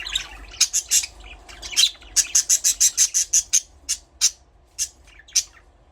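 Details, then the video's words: Budgerigar chirping in a fast series of short, bright, high chirps, about three a second at its quickest, a tight run in the middle, then sparser single notes trailing off. "Parrot chirping sound"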